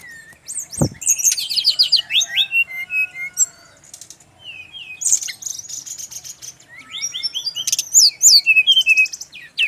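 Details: Brown-chested jungle flycatcher song from Bali: rapid, varied phrases of high whistled and twittering notes that slur up and down, in dense bursts separated by brief pauses, with a faint low hum underneath.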